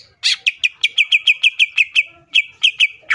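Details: Greater green leafbird singing to provoke rival leafbirds, a loud burst followed by evenly spaced sharp whistled notes, roughly six per second, with a brief pause before the series resumes.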